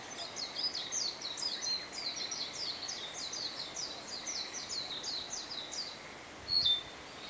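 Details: A Narcissus flycatcher singing only briefly: a fast run of high, slurred notes, about three a second, over soft background hiss, with a brief knock near the end.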